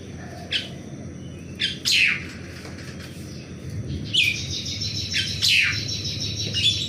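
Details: An Asian pied starling in the morning gives a few separate chirps, then a faster cluster of harsh, downslurred whistles near the end, with a low rumbling background.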